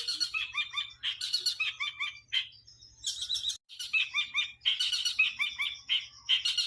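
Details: Long-tailed shrike singing busy, jumbled phrases of chattering notes and short downslurred whistles, repeated in bursts with brief pauses, with a low hum in the background.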